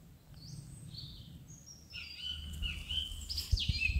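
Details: A song thrush (Turdus philomelos) sings clear, high whistled phrases over a low background rumble.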